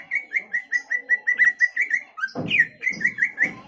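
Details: Greater green leafbird song used to provoke a rival's anger and fighting: a rhythmic series of mellow whistled notes, about four per second, followed by a louder rising note and more repeated whistles over low thuds.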